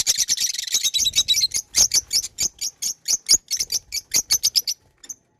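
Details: Pet lovebirds giving a fast stream of shrill high chirps, dense at first and then spaced into regular pulses several per second, fading to a single last note.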